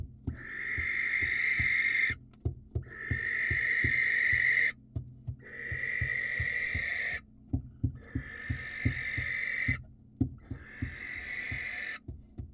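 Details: Wild barn owl calling for a female with five rasping screeches, each about two seconds long, given in a steady series, with frequent low knocks and thumps between them.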